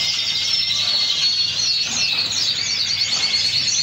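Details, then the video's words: Canary from Spain singing a continuous, high-pitched warbled song of fast trills, rolls and gliding whistled sweeps. The song runs without pause for the whole stretch, with a faint low hum underneath. "SPAIN PHEAO CANARY SINGING"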